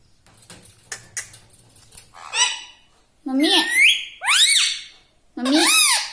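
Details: Pet parrot kept indoors, talking: soft background murmurs, then four loud rasping, arched syllables like mimicked words, the pitch sweeping up and down within each.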